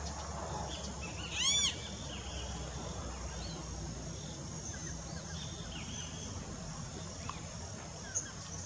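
A great kiskadee gives one loud, harsh, ringing call lasting a fraction of a second, over steady outdoor hiss with faint distant bird chirps.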